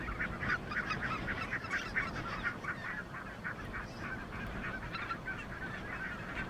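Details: A wintering red-breasted goose from the Siberian tundra among thousands of greater white-fronted and barnacle geese at Bislicher Insel near Xanten, Germany; a dense chorus of sharp, high yelping honks, several birds calling about four times a second, over low rumble.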